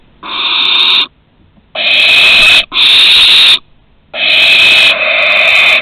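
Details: Loud, rasping barn owl screeches at Théding, France, on 2 September 2020, around a first flight from the nest and return. Four long breathy hisses, two running almost back to back.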